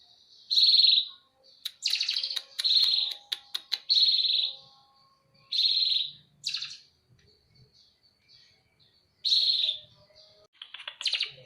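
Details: Fighting Eurasian tree sparrow giving loud, harsh, buzzy chirps singly or in quick pairs, separated by short silences and a few sharp clicking ticks.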